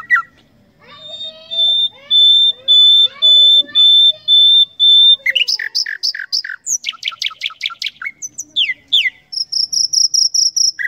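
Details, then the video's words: Nightingale song opening with a sustained pure whistle repeated in even pulses, then rapid buzzy clicks, sweeping chips and a closing string of high, thin repeated notes. "Common Nightingale Songs"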